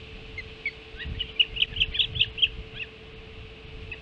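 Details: Feeding time at a Hog Island osprey nest, 05:20, 7 July 2016: a rapid, even series of about eight piercing whistled chirps, roughly two per second, with low rumbling underneath.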